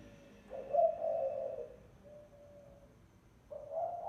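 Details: Spotted dove lure call: one full low coo phrase with a bright accented opening and a long husky tail, a faint soft coo after it, then the next phrase beginning.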